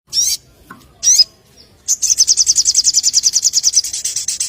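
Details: Young white-rumped shama singing with sogon-style filler phrases: two sharp high whistled notes, then a fast, even, very high rattling trill of about twenty pulses lasting over two seconds.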